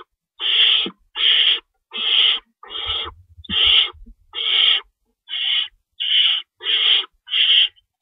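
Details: Owl nest at 3:53 AM, March 25, 2012, an adult staying in to tear up rabbit for the young; ten rough, wheezing bursts in quick succession, with a faint low rumble partway through.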